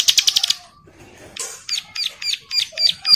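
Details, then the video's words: Bar-winged prinia in breeding condition calling to a female while others answer: a quick burst of six high, buzzy notes, then a string of sharp, bright chips roughly three per second. "CIBLEK SAWAH BIRAHI GACOR MEMANGGIL BETINA YANG LAIN IKUT NYAUT"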